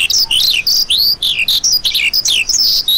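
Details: A lark's quick, high twittering phrase: short bright chirps and slurred whistles tightly packed and run together over three seconds.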